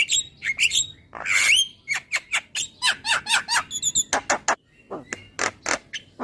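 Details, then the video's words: Javan myna singing to spur a bird to be more vocal: harsh raspy phrases and a long grating note, then a steady series of clipped chattering notes and a few sharp calls. "Suara Jalak Kebo Terapi Biar Semakin GACOR"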